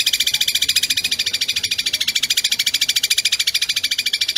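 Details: Long-tailed shrike tutor recording for caged songbirds, kuntilanak style joined to sparrow phrases at high speed: an unbroken, very regular harsh buzzing rattle, about three pulses each second, lasting throughout.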